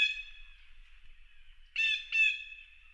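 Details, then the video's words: A blue jay, described as giving a mating call, gives harsh, nasal jeering calls: one long call at the start, then two quick rasping bursts close together near the end. "Blue jay call from nature! Amazing blue jay bird sounds!"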